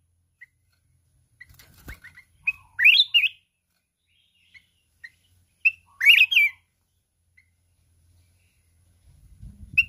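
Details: Mountain red-whiskered bulbul in a singing contest, flapping its wings constantly, using a 'kít bổi' wild-style voice. Two bright, warbling phrases about three seconds apart stand out among scattered short chirps, with a low rumble at the end.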